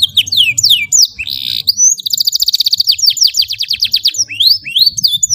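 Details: Canary singing a long tutor song meant for young birds: varied rising and falling whistles, a dense buzzy burst, then a sustained rapid trill of repeated notes followed by more swooping slurs.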